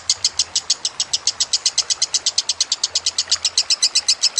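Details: Kusumo lovebird song for training other birds, set against trickling water: quick, shrill chattering notes repeated steadily for the whole stretch, slightly wavering in pitch near the end.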